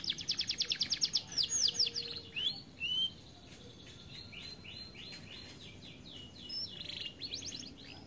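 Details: Caged canary, described as too fat to sing much, opening with a fast repeated trill, then scattered whistled notes and softer trilled phrases.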